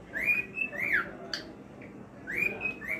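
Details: Male cockatiel singing: bright whistled phrases, each sliding up into a held high note and then twisting downward. Two such phrases sound about two seconds apart, with a short chirp between them, over a faint background hiss.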